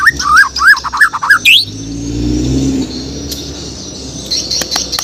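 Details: White-rumped shama (Bornean murai batu) singing in the morning: a quick run of rich, looping whistles ending in a sharp rising sweep, then silence under a low vehicle rumble and faint clicks.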